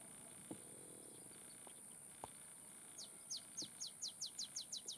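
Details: Olive sparrow at Laguna Atascosa National Wildlife Refuge near Los Fresnos, Texas, 30 May 2015. After three quiet seconds with a few faint clicks, it begins a bouncing run of crisp, high chip notes that quicken steadily. A constant high whine sits in the background.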